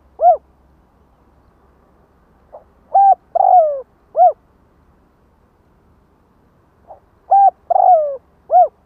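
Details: Spotted dove luring call with three-part cooing phrases repeated after pauses. Each runs flat coo, long downward-sliding coo, arched coo, over a faint low hum.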